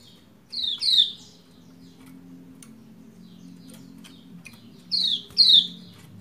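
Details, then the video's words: Calling female Lombok white-eye, meant to make a reluctant male start singing: two pairs of quick, high, falling chirps about four seconds apart, over a low steady hum and scattered clicks. "Ciak Ciak Pleci Lombok Betina Memanggil Jantan Supaya Cepat Gacor"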